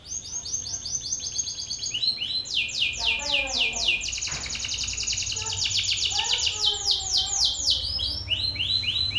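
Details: Belgian canary male singing loudly and aggressively in the face of a rival male; a continuous, high, rapid trilled song of repeated chirping phrases whose tempo shifts, with brief lower warbling notes mid-phrase.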